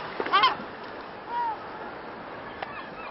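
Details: A Little gull at Carlyle Lake, Illinois, on 29 January 2012 gives a quick nasal, harmonic call, then a softer drawn-out arched note, over steady background hiss.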